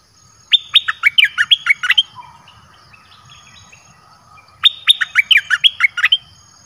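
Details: Red-whiskered bulbul kept in a cage, its song played to draw wild birds close: rapid chains of sharp, sweet whistled notes in two phrases about four seconds apart, with softer twittering between them.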